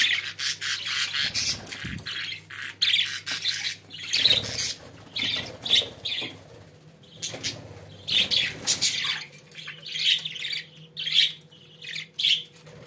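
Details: Several pet budgerigars giving repeated short scratchy chirps and warbled chatter phrases in quick bursts, with a few soft flutters and knocks, over a faint indoor hum.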